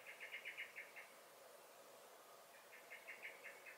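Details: Blackbird in a garden during May giving alarm notes: a fast string of metallic chinks, a gap of over a second, then a second matching volley.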